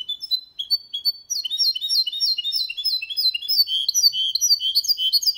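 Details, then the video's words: Clean-singing goldfinch × canary hybrid, used to encourage males to sing and young birds to memorise song: a few clear whistled notes, then a dense, continuous warbling twitter of quick repeated down-slurred phrases. "Mixto de Jilguero Cantando Limpio 2022 para Estimular"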